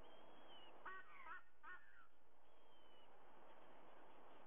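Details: At 05:44 on 30 September 2022 in Sydney, Australia, a white-bellied sea eagle utters a quick cluster of three or four honking, goose-like notes; high falling whistles of other birds sound before and after.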